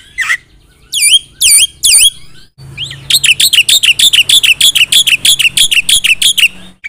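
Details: Loud Black-winged myna song rich in inserted phrases: a few spaced, downward-sweeping whistles with strong overtones give way to a fast, steady train of sharp high chirps over low background hum.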